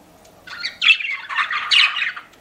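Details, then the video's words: Pet budgie giving a brief run of buzzy, squeaky chirps and a harsh warbled squawk lasting under two seconds after a quiet start. "CUTE PET BUDGIES CHIRPING"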